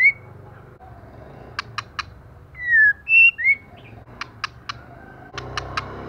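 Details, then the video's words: Female white-rumped shama, moulting almost bald, singing intensely: groups of three crisp clicks separating a run of rich slurred whistles that rise and fall, then further click triplets. "LỬA MÁI THAY LÔNG TRỤI LỦI ĐẬP TẠCH LÔNG BAY VUNG VỤ HÓT CỰC XUNG KÍCH LỬA"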